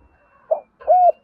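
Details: Spotted dove in the thổ calling style that urges decoy birds to coo. A short soft low note is followed by a smooth, slightly arched coo of about a quarter second. The setting is quiet.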